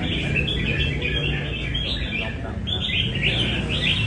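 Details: Caged red-whiskered bulbul from Nam Đông singing at a café session in Đà Nẵng: chattering run of sweet whistled notes, a short break near the middle, then a brighter bubbling flourish; steady background noise.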